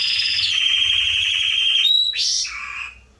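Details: Singing Atlantic canary, a tutoring recording for young birds: a long rolling high trill that shifts down in pitch, a brief pure whistle, then a rising chirp and a lower buzzy note.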